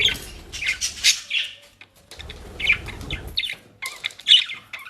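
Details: Household budgerigars in Den Haag, Netherlands, nibbling dry leaves and grass; bursts of bright chirps and short warbled phrases are separated by brief gaps, with faint rustling between them.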